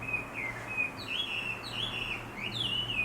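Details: Birds singing persistently around sunrise in a large black locust tree next to a house in town; a continuous high warbling song of rising and falling twittered phrases, with a low steady hum underneath.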